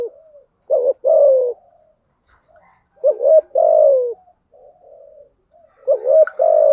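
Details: Decoy spotted dove, a female, cooing to attract male doves. Three phrases come roughly every two and a half seconds, each a pair of short notes followed by a longer falling coo, with quiet low murmurs between.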